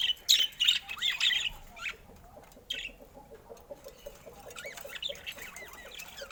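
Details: Colorful pet budgies warbling: a burst of bright, squeaky, high chirps, then a steady stream of soft, quick, rising and falling warbled notes.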